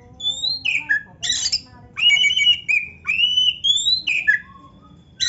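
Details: Oriental magpie-robin giving loud 'gacor full isian narung' song: long sweeping whistles, some falling and some level, alternate with harsh buzzy bursts in a steady stream of phrases.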